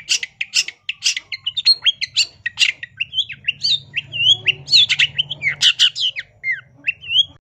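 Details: Shrike song used as a master for training cage songbirds, rapid and varied: harsh squawking bursts mixed with slurred whistled notes rising and falling, delivered almost without pause, with a faint low hum underneath.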